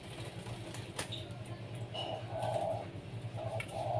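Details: Pet zebra dove set out to sunbathe in the morning, giving low, hollow coo notes in short bursts near the end, with faint background chirps and low hum.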